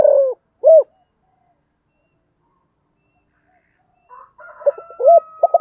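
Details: Spotted dove cooing: two loud rounded coos, a long silence, then a phrase of stuttering and arched coos with a steady high tone and faint chatter behind.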